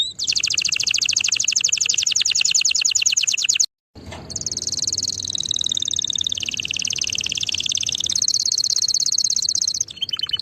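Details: Canary song made of fast rolling trills, cut by a short silent gap. A long sustained trill follows that drops slightly in pitch, then climbs again before ending with a few short notes.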